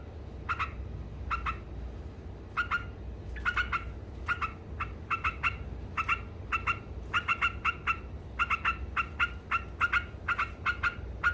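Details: Long bout of ngekek song by a yellow-vented bulbul: sparse chips at first, building into fast clusters of bright clipped notes, with a low background drone.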